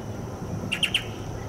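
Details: A light-vented bulbul in a tree gives unusual chirping: three quick, sharp chirps in a row, each a bright note with a short downward slur, over a low background rumble.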